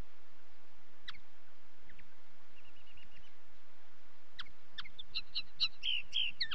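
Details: Common linnet singing: scattered sharp chirps at first, building into a rapid twittering run of mixed buzzy and clear notes toward the end.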